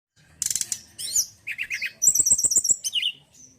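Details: Male mountain forktail (tledekan gunung) singing a busy, high-pitched song: a rapid buzzy trill, then short slurred notes and a fast series of sharp chips, ending with a brief downslurred whistle.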